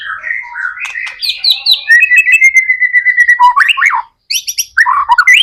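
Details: Persistent white-rumped shama singing, used as a lure for other shamas: varied warbles, a steady drawn-out trill, then slurred downward notes and high chirps after a short gap.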